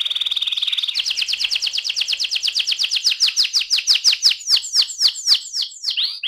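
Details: AF canary singing in the rolling ngerol style: a steady whistled note, then a long fast trill of descending buzzy syllables at about two per second that gradually slow and sharpen toward the end.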